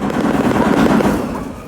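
A shoebill claps its bill in a rapid, loud, hollow clatter, a steady rattling burst much like machine-gun fire, lasting the whole moment.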